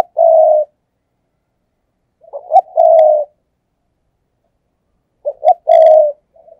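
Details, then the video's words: Spotted dove decoy bird cooing to lure wild doves into traps: clean low coos in three phrases about three seconds apart, the later two opening with short stuttered notes before a longer steady coo, in an otherwise silent background. "cu gáy, Mồi cây thúc gù chuẩn căng đét"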